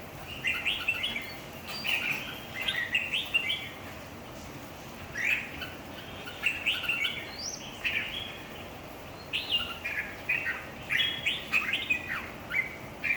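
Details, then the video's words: Red-whiskered bulbuls singing in competition: a long run of quick bubbly warbled phrases in bursts, several rising whistled notes scattered between them, and a constant faint hiss behind. "chào mào thi đấu 3"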